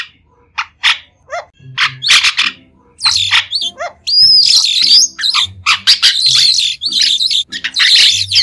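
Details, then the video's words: Clean recording of a white-shouldered starling singing: scattered squeaks and downslurred whistles build into a sustained, loud stretch of wheezy, squealing chatter with a bright whistled note. "Tiếng chim Sáo đá trung quốc không tạp âm | White-shouldered Starling"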